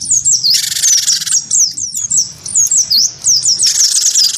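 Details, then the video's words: Gelatik batu (wingko) in lively fighting song, provoked by a white-eye. Quick high twisting notes run continuously, broken by two loud raspy churring blocks at the start and the end. "gelatik batu wingko gacor pancing bunyi tarung sama burung pleci"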